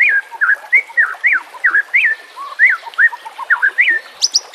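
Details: Training song of a White-rumped shama in rough 'nembak kasar' style, used to teach other birds, with water sounds. A steady string of clear, arched whistled phrases, a few lower notes between, and a high squeak at the end.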